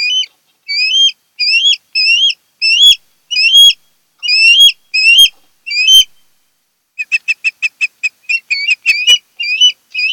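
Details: Wild osprey at a nest on Kent Island, Maryland, August 2018: a long run of shrill whistled upslurs about one per half second, then after a pause a faster burst of short chirping whistles.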